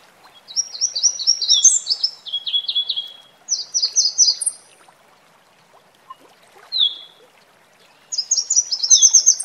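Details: Red warbler singing in nature beside a waterfall: high, sweet trilled phrases of rapidly repeated notes, some stepping downward, given in bursts of one to two seconds with short pauses between, over faint rushing water.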